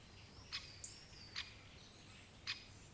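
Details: Three sharp, explosive single notes from a great spotted woodpecker, spaced unevenly, with a thin high whistle from another bird and low ambient noise.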